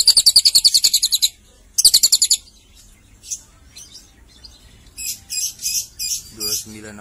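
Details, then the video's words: Lovebird in Cililin with two short bursts of fast, high pulsed trilling, then scattered softer chirps and a run of louder separate chirps, ending with a lower harsh note. "Love Bird Berasa Cililin"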